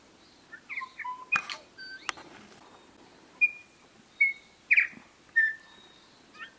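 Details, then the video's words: Bellbird (korimako) in native bush near Greymouth, New Zealand, on 8 April 2023, giving pure, bell-like whistled notes, several held briefly at a steady pitch and spaced roughly a second apart, after a couple of sharp knocking clicks. "New Zealand birdsong Bellbird (korimako)"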